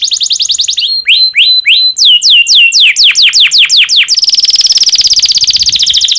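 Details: Domestic canary in breeding condition singing to encourage other canaries to sing: quick high chips, a run of downslurred whistles, then a long even buzzing trill.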